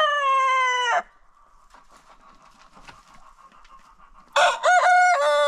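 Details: Farm roosters crowing in a daily after-breakfast contest. A long, steady, rich-toned crow ends abruptly, followed by a low hum and faint clucking, then a second crow starts with a sharp wavering onset and holds on.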